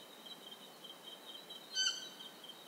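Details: In Ecuador, a Stygian owl utters one brief harmonic note, sharp and bright, near the end of the stretch, against continuous high-pitched insect buzzing.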